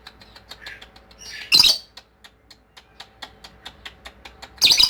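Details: Lovebird in ngekek style: a rising scratchy squeal that breaks into a loud harsh burst, then quiet rhythmic ticking before another raspy burst at the end.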